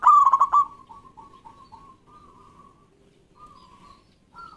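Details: Loud zebra dove phrase of rapid, bubbling coo notes opening the recording, followed by a string of softer, evenly pitched coos from other local doves answering in the background; played to coax silent doves into song.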